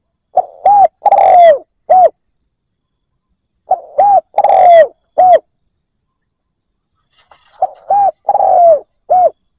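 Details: Decoy spotted dove calling to entice wild doves, three similar phrases roughly three and a half seconds apart, each a short hoot, a long falling coo and a short hoot, in quiet surroundings.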